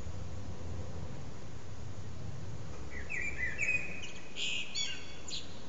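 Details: A common blackbird perched on a rooftop antenna, singing with short breaks for about three hours. After three seconds of low rumbling background, a warbled mid-pitched phrase comes, then a burst of higher, squeaky twittering notes near the end.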